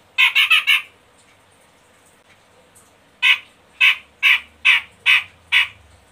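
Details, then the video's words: Medan-type cucak jenggot in a lure recording meant to set caged birds singing: a quick run of four rasping, broad-toned notes, a silence of two seconds, then six more evenly spaced harsh squawks. "Pancingan Ampuh Cucak Jenggot Medan malas macet bunyi biar gacor"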